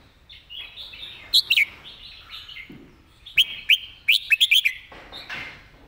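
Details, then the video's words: Red-whiskered bulbul master song intended for teaching birds: a pair of sharp notes followed after a pause by a brisk string of liquid whistled chirps, with low background warbling. "นกกรงหัวจุก เสียงดี เพลงแม่บทชัดๆ(ไว้สอนนก)"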